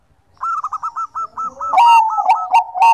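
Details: Bangkok-type perkutut (zebra dove) singing: a rapid string of about ten short hooked coos, then loud burry, rasping notes repeated in quick succession.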